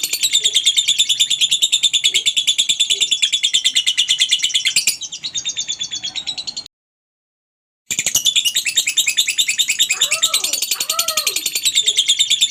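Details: Extended lovebird ngekek meant to lure other lovebirds into singing: a long, fast, high-pitched chattering trill, a pause, then more trilling with a few lower arching calls in the background.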